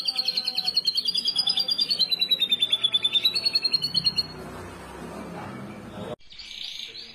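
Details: Contest canary song meant to lure other canaries into singing; a smooth rolling trill wavering up and down for about four seconds, followed by quiet background and a brief noisy burst.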